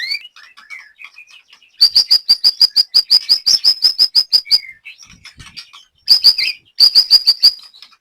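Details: Wild-type white-rumped shama, a Javanese songbird kept for song training in Banyumas, Central Java, Indonesia: rapid bursts of sharp, high repeated chip notes, about three per second, alternating with softer varied twitters and brief pauses.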